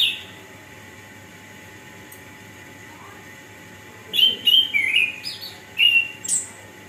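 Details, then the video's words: Orange-headed thrush singing to stimulate lazy birds into song: after a brief opening note and long silence, a rapid run of varied whistled phrases, sliding up and down with high sharp notes at the end. "suara burung Anis kembang gacor pancingan untuk burung malas bunyi"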